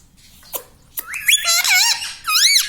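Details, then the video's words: Pet talking parrot indoors; a couple of faint clicks, then a rush of high, shrill, wobbling voiced syllables ending in a rising squeak. "bolne vala parrot || parrot talking everything"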